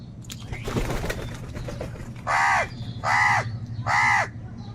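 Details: Crow giving three loud, harsh caws about a second apart, each a broad, arched burst, following faint chirping over a low steady hum.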